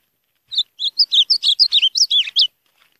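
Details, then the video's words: Ultramarine grosbeak (azulão) singing a distinctive variant song: a rapid phrase of about a dozen clear whistled and warbled notes, sliding up and down, delivered over two seconds in otherwise quiet surroundings. "Azulão diferente"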